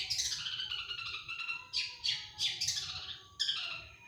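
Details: Long-tailed shrike giving a thick, continuous rasping chatter, then several sharp, separate screeching bursts, in the mimicry-filled 'tembakan' style of an actively singing cendet.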